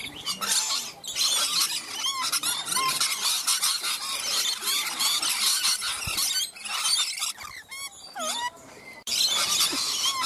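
Rainbow lorikeets keep up a dense, continuous chatter of shrill screeches and squeals, with brief pauses near the middle and a few rising whistled notes.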